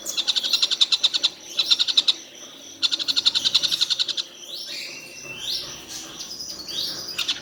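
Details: A collared kingfisher, said to call all day without stopping, gives short bursts of rapid, sharp notes separated by pauses, followed by other scattered whistled and sweeping sounds.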